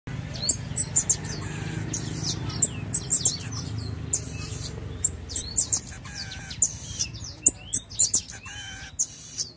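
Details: Pin-tailed parrotfinch singing: rapid bursts of very high, thin chirps and sharp ticks, clustered in quick runs, with a low rumbling hum in the background.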